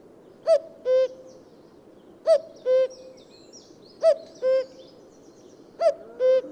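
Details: Common cuckoo calling cu-coo four times in steady rhythm, about every two seconds; each call is a brief higher note followed by a longer, slightly lower held note, with soft twittering of other birds behind.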